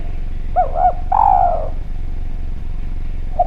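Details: Clear spotted dove lure phrase: two quick looping coos followed by a long, gently falling coo, then a pause before a short note begins again; low rumble underneath.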